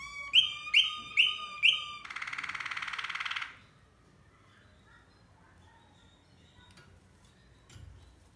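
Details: Malinois canary song opening with four evenly spaced bell-like notes, then a loud buzzy rattling burst of about a second and a half, followed by near silence with faint clicks.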